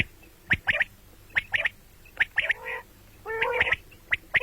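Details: A common quail's call, morning and night: short, sharp notes in pairs and triplets, interrupted twice by drawn-out, lower, rough calls.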